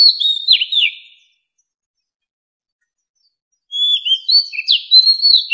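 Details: Mature wild Oriental magpie-robin song for luring wild birds: a short burst of down-slurred whistles, a silence of over two seconds, then another clear, varied whistled phrase with upward sweeps.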